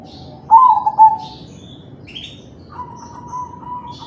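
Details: Cooing of a crossbred zebra dove in 'kalung tempuk' style, meant to prompt other doves to join in: a doubled mellow coo, faint higher chirps, then a long, steady, wavering low whistled note.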